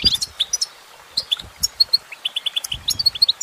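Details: A female goldfinch sings in short high tweets, scattered at first and then a quicker run of evenly spaced notes toward the end, with light background rustle.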